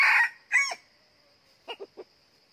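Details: Decoy red junglefowl rooster used off-season to lure wild birds to a second trap, giving the loud harsh end of a crow, then three short low clucks after a pause.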